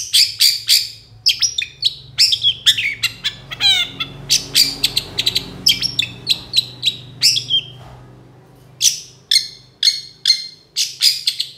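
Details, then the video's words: A Long-tailed Shrike delivers a fast, scratchy run of sharp, high chattering notes in quick bursts, with a brief lull near the end. "MASTERAN CENDET GACOR DOR KONSLET"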